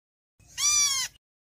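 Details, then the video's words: Single drawn-out, nasal mewing note from a héc xoan bird calling the flock, level in pitch with rich overtones, about two-thirds of a second long, over a quiet background. "tiếng chim héc xoan gọi bầy"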